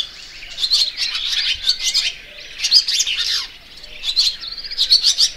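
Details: A barn swallow delivers clusters of quick, bright chirps, the bursts running close together over a steady faint background hum.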